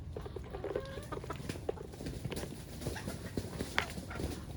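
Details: On a farm with ducks and chickens, chickens cluck in short, low, scattered notes with a few brief higher calls, over a steady background rumble of farmyard noise.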